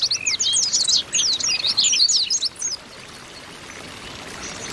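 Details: Group of female Oriental white-eyes calling to stir males: a dense burst of high, twisting chirps and warbled notes for under three seconds, then only a soft hiss.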